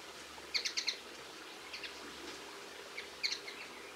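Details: On 22 March 2016, a linnet utters quick runs of three or four clipped, twittering notes and then a pause before the next burst, with faint softer calls and light background noise.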